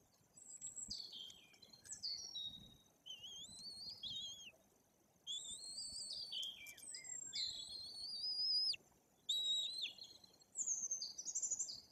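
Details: Repeated shrill whistled squeals from white-tailed eagle chicks almost three weeks old, fed by both parents at a nest in Bory Tucholskie, Poland; many sliding and falling notes in bursts, some rising sharply, continuing through twelve seconds.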